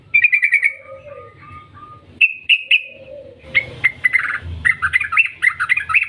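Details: Yellow-vented bulbul singing a long chattering lure song to provoke other bulbuls: quick chirp series, then steady lower whistled tones, followed by a dense, bubbling, rapidly varying stretch of notes to the end, over low background rumble.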